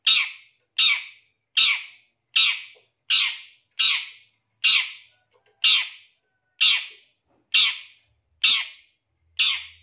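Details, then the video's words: Long-tailed shrike lure sound meant to spur another shrike into fast, agitated singing: a steady series of twelve grating, scratchy squawks, roughly one every 0.8 seconds, each harsh and broadband, with no other sounds. "Pancingan Suara Pentet Bahan Agar Cepat Bunyi & Emosi ~ CENDET"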